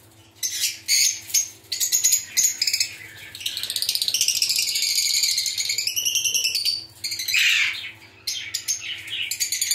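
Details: Colony of lovebirds, including albino and pastel ino birds, making shrill chirps, a long sweeping screechy call, and quick rattling chatter broken by brief silences.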